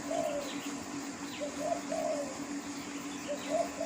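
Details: Soft, low coos from a spotted dove in the wild, three phrases in quick succession with the longer notes dipping at the end, faint high chirps and a steady hum behind.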